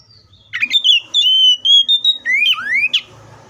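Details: A single Oriental magpie-robin song phrase: a chirpy start, sustained steady whistles, then two long upslurred swoops and a final sharp note, with a faint low buzz behind.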